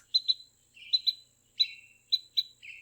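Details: Carolina Wren pip calls, used when mobbing predators, against nearby rival wrens, or when the nest is disturbed: sharp, high pip notes, mostly in quick pairs about every half second, some followed by a lower, burry trailing note.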